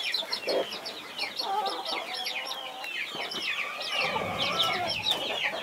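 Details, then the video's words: Mother hen guarding her 21 chicks: a dense chorus of high, thin, downslurred peeps runs throughout, with one low, short hen note near the start. "Mother hen protecting her 21 Baby chicks"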